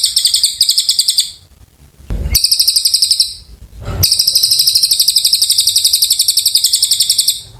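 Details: Long energetic song of an Oriental white-eye (cililin), rapid sharp high notes repeated several times a second in extended runs, briefly interrupted by two short bumps of noise.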